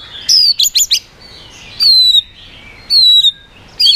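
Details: White-rumped shama song meant to provoke other birds: clear, high, slightly descending whistles, some prefaced by quick buzzy notes, given in short bursts about a second apart with pauses between.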